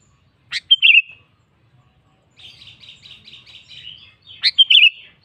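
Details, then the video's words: Sooty-headed bulbul singing energetically to call a rival: two loud, sharp, slurred whistled phrases separated by a softer run of rapid, even chattering notes, all clean and high against a quiet background. "BURUNG KUTILANG GACOR MEMANGGIL LAWAN"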